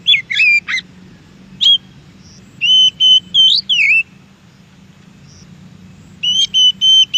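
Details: Oriental magpie-robin singing in the wild: bursts of sweet whistled notes, some slurred up and down, in groups of three or four with pauses, against a steady low background hum.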